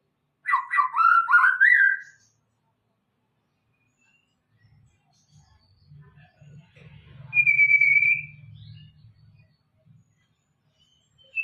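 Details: White-rumped shama singing in the afternoon: a rapid burst of varied whistled and chattering notes, then silence and a single sustained high whistle, with low rumbling noise in between.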